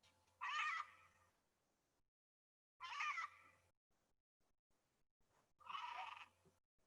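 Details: Red-and-green macaw, a species found in Bolivia and Brazil and described as endangered, played from a recording: three loud, harsh, raspy squawks, each under a second, about two and a half seconds apart, over a faint low hum.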